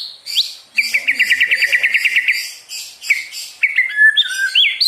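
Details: White-rumped shama singing as a lure to stir other birds to sing: rising whistles, then a fast rattling trill of about fifteen identical notes, followed by varied, chattering, slurred whistled phrases.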